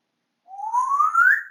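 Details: Male pet African grey parrot whistling at home on 20 August 2022: a single long whistle sliding steadily upward in pitch for about a second.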